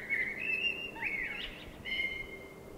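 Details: Common blackbird singing at night in spring: clear, sustained whistled notes with a short warbled, twisting flourish in the middle, over a faint background hiss.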